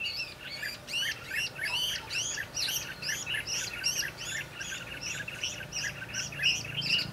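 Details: Red-whiskered bulbul (Pycnonotus jocosus) song at a trapping session, 22 December 2015: a run of bright, fluty whistled notes, rising and falling, about twice a second, over a faint low hum.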